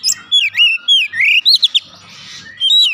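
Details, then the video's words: Oriental magpie-robin singing as a lure to make the bird sing: clear whistled notes, slurred up and down and sliding, in short bursts, with a brief pause midway and faint low rumbling underneath. "pancingan Kacer langsung buka paruh GACOR"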